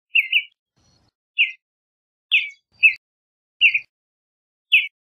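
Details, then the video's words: A Western Bluebird gives six short, burry chirps, some doubled, spaced roughly a second apart at a mid-high pitch, against an otherwise quiet background. "Western Bluebird Song, Western Bluebird Call! Sound! - Azulejo Garganta Azul Canto"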